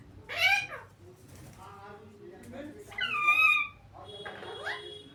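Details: A parrot, called mithu, lets out two loud, harmonic-rich screeching calls that rise then fall, one near the start and one around three seconds, with softer squeaky notes between them in a quiet indoor setting.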